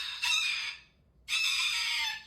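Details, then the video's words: Cockatoo in an angry mood letting out two harsh, broadband screeches about half a second and one second long, separated by a pause, while a man chats about feeding the wild birds. "Tango Talk Anger"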